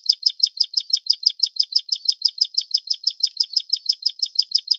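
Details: High, buzzy notes repeated quickly and evenly, about six per second, from a Plain prinia of the Taiwan-endemic subspecies flavirostris, which lives in riverbeds, grassland and farmland at 700–1200 m; nothing else audible.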